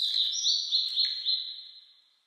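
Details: Singing Blue-and-white flycatcher in spring mountains after rain, on a cloudy 14°C day in 2022. It gives a short, rich run of loud, high whistled notes, each sliding slightly, fading out at the end.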